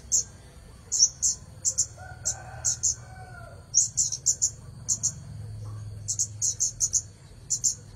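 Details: Red-headed bunting singing actively: clusters of two to four crisp, very high chirps repeated through eight seconds with short pauses, a faint steady whine and low background hum beneath.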